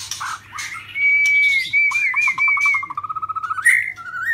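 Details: White-rumped shama of the shrimp-tail type singing in the 'rít thuốc lào' style, a long steady whistle and wavering notes, then a rapid bubbling run of short repeated notes and a final rising whistle.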